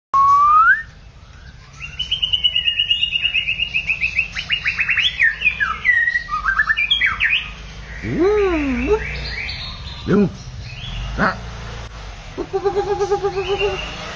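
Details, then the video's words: White-rumped shama singing a varied, many-voiced song: an opening rising whistle, a long run of rapid buzzy trilled phrases, deep swooping slurred whistles, sharp isolated notes, then a fast repeated trill at the end; faint indoor background hum. "chòe lửa hót nhiều giọng"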